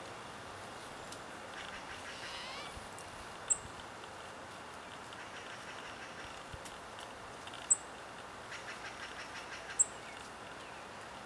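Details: Very young Spotted Towhee fledgling hidden in thick bramble, calling constantly before a parent feeds it, Guerneville, Sonoma County, California, 19 June 2020: three sharp, very high, thin chips a few seconds apart, softer harsh calls from another bird, low outdoor hiss.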